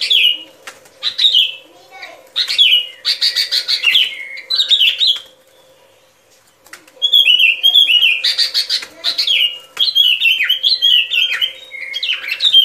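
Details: Sooty-headed bulbul song meant to lure birds into traps: two long stretches of cheerful, bubbling whistled phrases, each slurring downward, split by a quiet gap of about two seconds, with a faint hum throughout.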